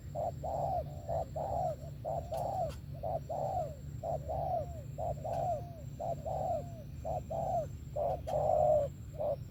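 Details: Spotted dove delivering 'thổ' style song with 'tàng': about a dozen hollow coos, many ending in a soft falling hook, repeated about once a second over low hum.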